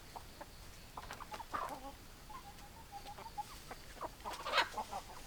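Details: Hens make a line of quiet, evenly spaced tonal clucks, broken by a few sharper, squawky notes near the start and end. Low background hiss throughout.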